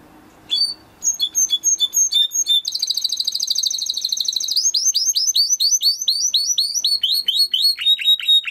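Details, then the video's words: A Timbrado canary sings a training song, opening with spaced high notes, then a dense rapid trill and a long run of repeated falling sweeps, faint low hum underneath. "Υour canary will sing UNSTOPPABLY"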